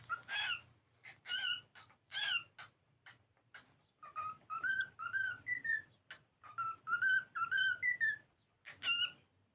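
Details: Pet cockatiel singing while playing: harsh scratchy chirps mixed with phrases of clear whistled notes that step and slide upward, delivered in quick bursts with short gaps.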